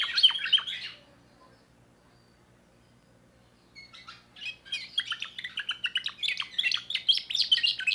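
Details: Young timbrado canary from 2024 singing: a short burst of bright chirps, about three seconds of silence, then a long, quickening run of rattling, trilled notes that grows louder.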